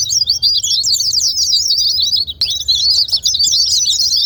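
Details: Continuous high-pitched twittering of white-eye song, played to coax quiet white-eyes to sing; rapid chirps chatter on steadily, with one brief click near the middle and a short dip before the twittering resumes.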